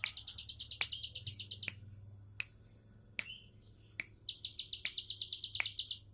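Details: Bar-winged prinia singing relaxed 'tembakan': a quick, high, buzzy trill, a gap filled with sharp clicks and a short squeaky note, then the trill again.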